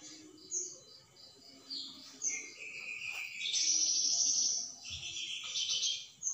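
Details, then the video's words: Flamboyan bird singing its rapid 'tembakan' bursts, a song used to train magpie-robins. High chirps and thin notes build into long, dense, buzzy high trills with short pauses between. "suara burung plamboyan tembakan ny bikin murai gacoor"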